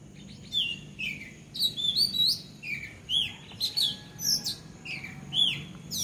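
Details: Bulbul on a house roof giving quick, bright chirps and slurred whistled notes that rise and fall, several each second, some overlapping, over a faint steady background hiss.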